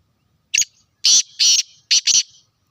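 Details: Kala teetar, the black francolin, heard in Sindh, Pakistan, giving one short sharp note and then a rasping rhythmic phrase of two longer buzzy notes followed by a fast pair, with clear silence around it.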